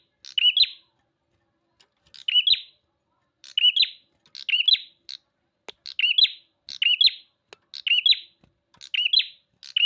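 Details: Bar-winged prinia singing energetically, giving a run of sharp, bright chirped phrases, each under a second, spaced roughly one to one and a half seconds apart, with nothing else audible.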